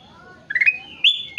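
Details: Ruby-throated bulbul (kutilang emas) singing gacor: after a soft level whistle, a bright rising warble flows into a long steady whistle, followed by two short upward-sliding whistles.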